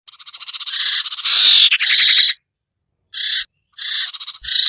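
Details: Iora lure calls, named sirtu locally, aimed at birds that will not come down: a rising stutter leads into loud grating chatters, then short raspy bursts repeated after pauses.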